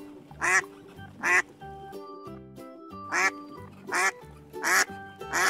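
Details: Domestic duck giving six loud, harsh, nasal quacks at uneven intervals of about a second, over steady background music.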